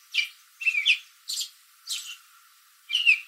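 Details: American robin sitting in a backyard tree late in the afternoon, answering other robins: five short chirps, some doubled and squeaky, spaced roughly half a second apart with a brief gap before the last.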